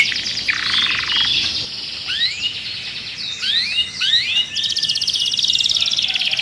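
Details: Canary kept in a cage, agitated, sings more softly here: a buzzy high roll, a few rising whistled slurs in the middle, then a dense high trill.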